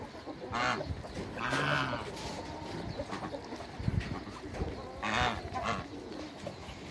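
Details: Toulouse geese, a couple kept in a backyard with other waterbirds, honk in loud nasal bursts, two close together early and another near the end, amid clucking and general poultry-yard noise.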